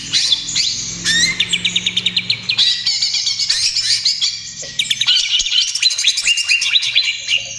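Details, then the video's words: Greater green leafbird in vigorous trotol-style song, used as a lure and therapy for other birds: rapid runs of rising whistled notes, then buzzy chattering phrases and a second fast series of repeated upslurred notes. "SUARA CUCAK IJO TROTOL GACOR, AMPUH UNTUK PANCINGAN DAN TERAPI"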